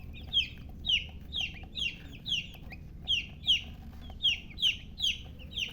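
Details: Chicken chick calling loudly, clear downslurred peeps repeated roughly every half second in a steady series, little other sound.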